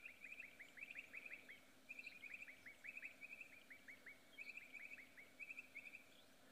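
Bokmakieries call in a lively chorus of quick, ringing whistled notes, grouped in short bursts about once a second, over faint background noise.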